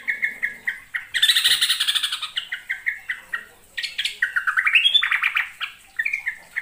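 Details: A yellow-vented bulbul of East Java origin sings a full, varied song used as a trapping lure, a lively run of bubbly, chirping mid-high notes repeated rapidly, with a harsher burst and rising phrases.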